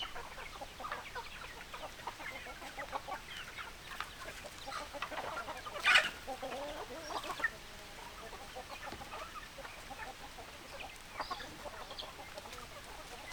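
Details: Chickens cluck softly and steadily throughout, broken near the middle by one loud, harsh squawk, then scattered short clucks continue.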